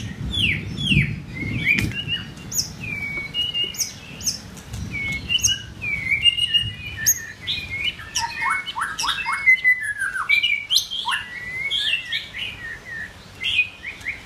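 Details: Song of a white-rumped shama in form building: a continuous stream of varied whistles, downslurred notes and clicking chips, quickening into dense rapid phrases, with low background rumble in the first seconds.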